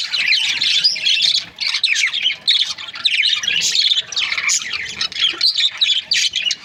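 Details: Chattering budgerigars from Australian parrot breeding pairs: rapid bursts of high, grating chirps and warbled squeaks in quick clusters, with short dips between flurries.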